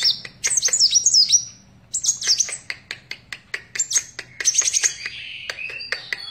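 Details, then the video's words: Kolibri wulung sunbird in lively song, delivering bursts of very high, rapid twittering and wavering whistles broken by short gaps, with scattered sharp ticks and a thin sustained trill near the end. "Burung Kolibri Wulung / Kaca Gacor"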